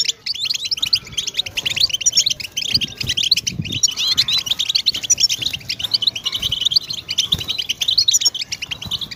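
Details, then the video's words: Goldfinch singing continuously, a fast, high, liquid twitter of jangling notes and short trills running without a break. "goldfinch stimulation in nature"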